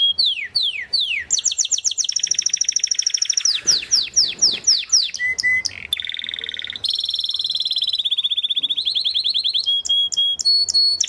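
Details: Timbrado canary song in changing tours: falling whistled slides repeated, a fast rolling trill, a brief low note, a sustained ringing trill and closing high clipped notes.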